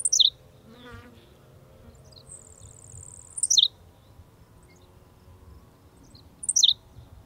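Henslow's sparrow gives a very short, high, hiccupy two-note 'tsi-lick' about every three seconds, with a faint high insect-like buzz between songs.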